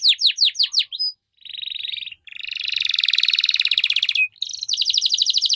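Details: Canary song: opening series of fast descending whistled sweeps, then a sustained buzzy trill, a long rapid rattling roll, and a final quick trill, loud and close.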